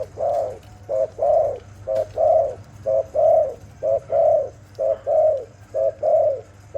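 A dove gives soft, low, hollow coos in a steady two-part rhythm, a short note then a longer one, repeating about every second and a half over a faint hum.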